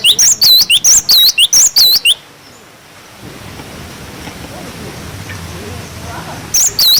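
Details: Cinereous tit tutor song for young birds, wucit wucit style: two seconds of loud, rapid, ringing whistled notes swooping down and up in pairs, then a lull with low murmuring background, and a final phrase beginning at the end.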